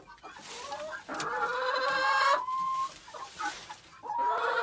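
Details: Several chickens in a pen at a homestead, noisy while being fed and the pen cleaned; overlapping drawn-out harmonic squawks and clucks, one long steady note near the middle, with busy scratching between calls.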